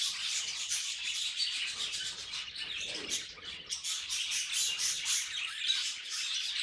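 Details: Pet budgies twittering in fast, irregular bursts of sharp high chirps, about four notes a second, with a brief quieter dip midway before the chatter resumes.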